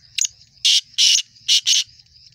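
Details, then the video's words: Young male black francolin in its first season calling: a short harsh note, then two long grating, buzzy bursts and two shorter rasping notes in quick succession, over a steady high insect trill. "کالا لکا پٹھا پہلا سیزن ماشاللہ زبردست چل بلائی اور اسپیڈ"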